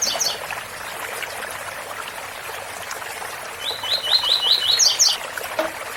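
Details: Double-collared seedeater singing the tui tui bitola song style beside a waterfall: a brief high buzzy fragment, then a run of six quick slurred notes ending in higher buzzy chirps, over steady rushing water.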